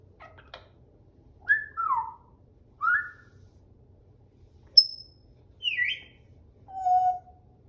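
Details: African grey parrot giving a series of clear whistled notes, some sliding downward, one short high piping note, ending on a lower steady whistle, with quiet gaps between calls in a calm indoor setting.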